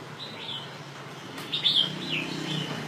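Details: Red-whiskered bulbul of northern Vietnam, kept as an ornamental bird, sings clear whistled phrases that rise and fall, with a louder warbled burst midway and a softer slurred note near the end over steady low background hum.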